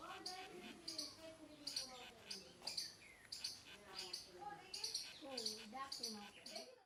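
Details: Parrot chirping: a steady series of sharp high chirps about twice a second, each with sliding lower squeaky notes, rising and falling, over faint background noise.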